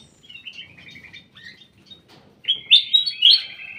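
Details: Caged in a private aviary, a ruby-throated bulbul gives soft broken chirps, then after a pause a loud, rich whistled phrase of rising and falling slurs.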